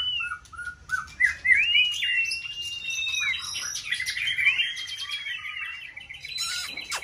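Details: Competition White-rumped shama in full season sings to stimulate another bird. Varied phrases mix drawn-out, sweeping clear whistles with scratchy chatter and clicks, and a sharp burst closes the phrase.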